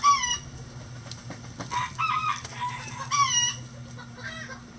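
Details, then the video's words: Chickens in a coop on a sunny day, giving loud harmonic squawking calls in bursts with a falling start, plus clucks, over a constant low hum. "Relaxing Chicken Coop Sounds On A Sunny Day"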